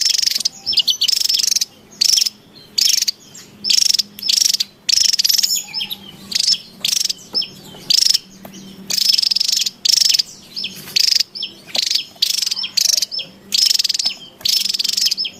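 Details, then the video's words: Wild Javan tesia calling excitedly, a lure sound: loud buzzy pulsed rattles repeated over and over, each about half a second, separated by short gaps, with occasional thin whistles between. "SUARA PIKAT DAN MASTERAN TESIA JAWA RIBUT DI ALAM LIAR"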